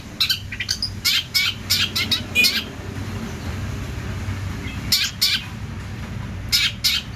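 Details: Long-tailed shrike in lively song, bursts of sharp, harsh chattering notes in quick clusters separated by pauses of a second or two, with a steady low hum underneath.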